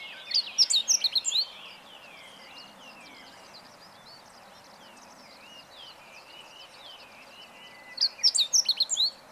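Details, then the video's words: On 20 March 2015, a Meadow Bunting sings two quick phrases of high, sharp, chattering notes about seven seconds apart. Softer, thin whistled notes from another bird are heard between them. "囀るホオジロ hoojiro - Meadow Bunting"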